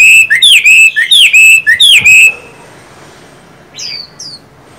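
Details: Ornamental Chinese hwamei, from a pair of 'văn' and 'võ' birds living under one roof without meeting: two seconds of loud, ringing, rolling whistled phrases, then quiet with a faint, high, descending note near the end.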